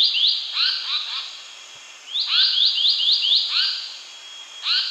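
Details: Indian paradise flycatcher giving harsh, rapidly repeated rising chirps in runs of up to six, each with a faint lower downslur, pausing between runs; no other sounds.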